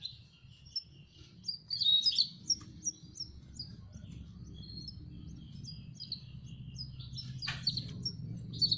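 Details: Young canaries chirp during hand-feeding: clusters of squeaky, high-pitched peeps. A rumbling background hum and brief clicks and knocks surround them.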